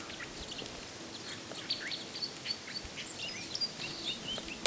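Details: Red Crossbills, probably but not confirmed Type 3, in Bayfield County on 9 March 2018, several calling at once with scattered sharp, high chips and short upslurred kip notes over a steady background hiss.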